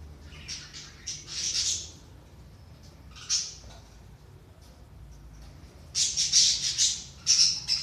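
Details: Budgerigars chattering, a recording for stimulating inactive budgies: lively bursts of scratchy, buzzy squeaks and warbles, a pause in the middle, then a dense rapid run of harsh high chirps at the end.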